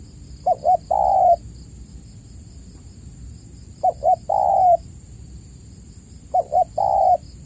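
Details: Spotted dove (tekukur) lure call used to prompt caged doves to sing: low hollow coos around two short notes then a longer drawn-out coo, the phrase repeated three times at roughly three-second intervals, with a steady high insect-like whine behind.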